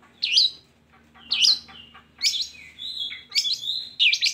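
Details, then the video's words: Long-tailed shrike, song for coaxing silent shrikes into singing: loud looping chirps a second apart, then mixed whistles and sharp harsh notes run closer together. "Pancingan Buat Burung Cendet"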